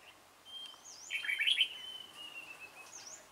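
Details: Short bulbul song at a trap site, 28 February 2017: a dark-bibbed red-whiskered bulbul gives a bright, rolling warble over a long steady whistled note, with soft high slurred calls from other birds around it.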